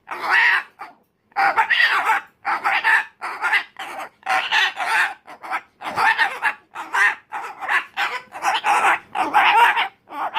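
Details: An umbrella cockatoo throws a screaming tantrum, ranting in a rapid string of harsh, raspy squawks and screeches, about one burst every half second, with brief pauses between runs.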